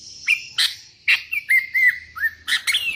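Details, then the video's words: Sooty-headed bulbul calling to challenge rivals while wild bulbuls answer: a series of loud whistled notes, some held and wavering, others sliding upward, in quick succession over a faint low hum. "Suara burung kutilang gacor memanggil lawan"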